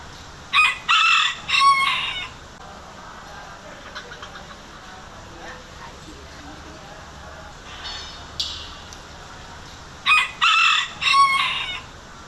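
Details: A bantam rooster at a workshop in Bandung, Indonesia, gives a high, three-part crow, repeated after a long pause.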